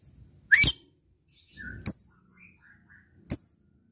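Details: Fighter-type lovebird calling toward a rival: three piercing, high, short chirps spread over three seconds, the first rising sharply, with faint thin whistles between them.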